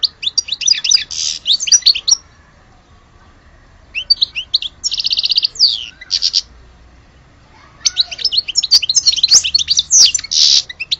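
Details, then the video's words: European goldfinch from Algeria delivering long bouts of rapid tinkling twitters, with nasal buzzy segments and fast trills, separated by brief silent gaps. "Le vrai chardoneret de Alge"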